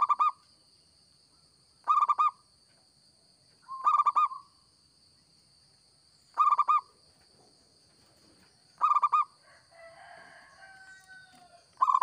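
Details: Local zebra dove singing steadily for use as a bird-catching lure: six brief rattling coo phrases spaced roughly two seconds apart, a faint chattering of other birds in the gap near the end, and a steady electronic whine.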